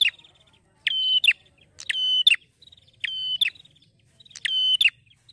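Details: A male prinia (prenjak) sings bright, rattling chip-and-trill "ngeplong" phrases around half a second long, given in pairs with short pauses; nothing else is heard.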